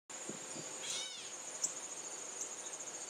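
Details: Gray Catbird mewing toward the person filming in a backyard, captured with a Canon VIXIA camcorder; a single short nasal, cat-like mew with stacked overtones, set against a constant high-pitched insect trill.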